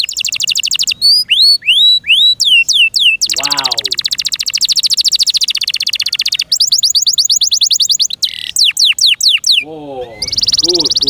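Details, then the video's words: Caged canary, a small bird with a loud chirping voice, singing a long varied song: sweeping whistles, dense buzzy high trills, and rapid descending rolls alternating without pause. "PLEASE LISTEN AND ASSESS FOR YOURSELF THE BEST CANARI BIRD"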